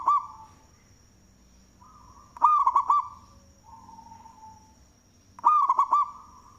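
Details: Local zebra dove from Indonesia with a loud voice, manggung song suited as a lure. A phrase is cut off at the start, then two full bursts of four fast hooked coos follow three seconds apart. Softer humming fills the gaps, with a steady high whine.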